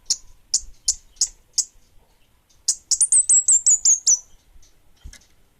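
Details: Orange-headed thrush, bunga api form, singing hard: five evenly spaced sharp high chips, then a rapid sequence of about nine high whistled notes falling slightly in pitch.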